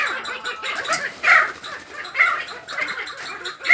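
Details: Kept sandgrouse that have begun choosing mates give loud, harsh, nasal calls in uneven bursts about a second apart. Quieter chattering from other birds runs underneath.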